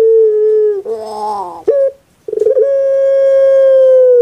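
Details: Soft-voiced puter pelung dove, a pet bird famous on Java: a steady hoot, a rolling gurgling phrase and a clipped note, a short gap, then a stuttering start into a long even tone.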